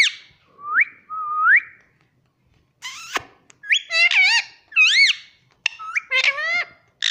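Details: Pet rose-ringed parakeet that talks, kept indoors, gives two upward-sweeping squeaky whistles, then after a click a quick series of arching, warbled notes and squawks.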